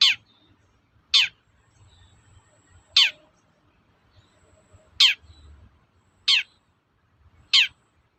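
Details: Characteristic toet-toet call of a long-tailed shrike (cendet), played to stir other shrikes into song: six single harsh, downward-sweeping notes spaced one to two seconds apart, with a soft low hum between them.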